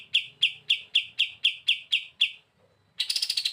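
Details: Kept kapas tembak singing as a training bird: a steady run of about nine loud, clipped chips roughly four per second, a brief pause, then a faster, denser trill of higher notes.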